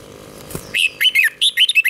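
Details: Red-whiskered bulbul singing a 'double' style phrase for training young birds: after a soft click, a quick series of loud, bright, slurred chirps.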